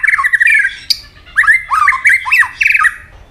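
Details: White-rumped shama singing a fighting song of rough, scratchy phrases. Quick, buzzy notes come in short bursts with brief gaps, and one high sharp click is heard.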